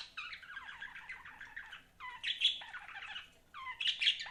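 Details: Budgies kept as pets warble in three long, scratchy chattering phrases, each starting with a rising note and ending with brighter squeaky peaks.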